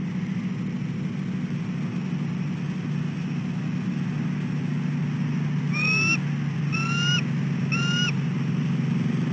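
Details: Female bald eagle at a nest tree at dawn, 6:34 am on 4 December 2013, calling for her incubation shift change; three rising whistled calls with bright overtones arrive near the end over a steady low hum.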